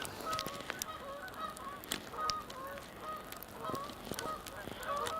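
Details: Canada geese, some flying overhead and a few on a pond, at Sapsucker Woods, Ithaca, New York, on a snowy Thanksgiving Day walk, 27 November 2014: repeated nasal honks, several overlapping, with clicking crunches and background hiss.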